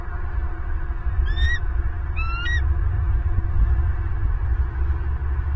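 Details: Bald eagle at a nest with its first egg in Southwest Florida, 30 November 2022, recorded by a nest camera. Two high, thin, slightly rising whistled notes sound over strong low rumbling wind noise.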